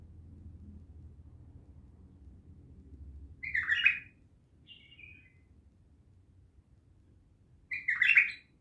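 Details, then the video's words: Bulbul from Naft Khaneh utters two loud, harsh chattering bursts about four seconds apart, with a soft falling slurred note between them; low background hum at the start. "بلبل خام نفط خانه"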